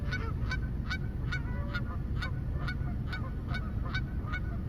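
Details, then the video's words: Geese calling with short nasal honks repeated about twice a second in a steady series, over a loud constant low rumble of background noise. "Geese Making Noise"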